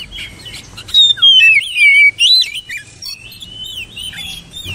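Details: Oriental magpie-robin song with loud descending whistles, wavering warbled notes and quick chirps, then a long level whistle fading into softer twitters.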